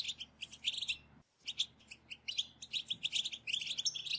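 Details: European goldfinches chattering in a group to encourage another goldfinch to sing: quick, high, tinkling notes, a brief silent break just after one second, then a lively run of repeated twitters, faint hum underneath.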